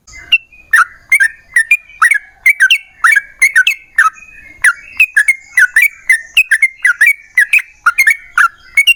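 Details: Yellow-vented bulbul lure song for getting other bulbuls to sing: long chattering string of short whistled notes, many in pairs, delivered briskly and almost without pause for nine seconds.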